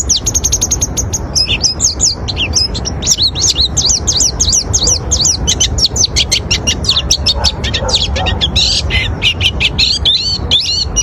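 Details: Oriental white-eye song for luring other white-eyes: a continuous, lively high twitter of rapid trills, wavering whistles and sharp chips running for over ten seconds, with low background noise underneath.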